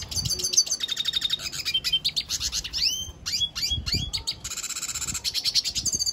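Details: Vigorous warbling song of a Venezuelan goldfinch, with rapid metallic trills, descending and rising slurred whistles and dense high twitters repeated without pause.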